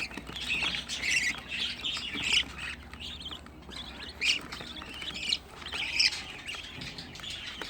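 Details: Budgerigar chicks, sixteen of them housed in one place by a hobby breeder, give sharp high chirps and harsh squawks in bursts, some louder peaks standing out from a steady chattering background.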